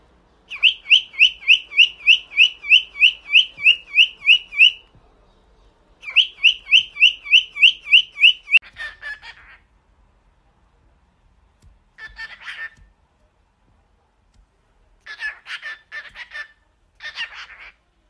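A cockatiel whistles a fast run of bright, upslurred notes, then adds scratchy, chattering bursts.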